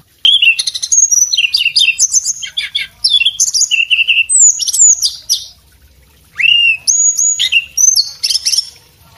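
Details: Male Sunda robin, kept as a cage bird, delivers a fast, varied outpouring of bright whistles, clipped chirps and slurred notes, pauses briefly, then resumes with clear sweeping whistles, used for teaching other birds.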